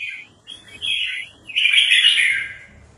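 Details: A competition red-whiskered bulbul being prepared for a contest sings a short, loud, sweeping phrase, notes rising and falling, followed by a full, buzzy-edged warble lasting about a second.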